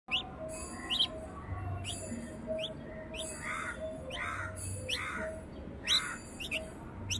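A young red-vented bulbul gives short, sharp chirps about once a second, some quickly rising, mixed with softer husky notes over a low background hum.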